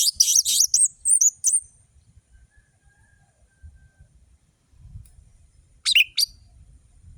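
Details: Orange-headed thrush in full song, a lure meant to prompt lazy birds to sing: a rapid cluster of sharp, very high whistles and twitters, a long silence with soft low rumble, then a second short burst.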